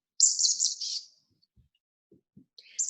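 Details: Chestnut-backed chickadee on Protection Island gives its high spring song, a very high, thin, buzzy trill lasting nearly a second, then another high burst after a pause, with faint low knocks between.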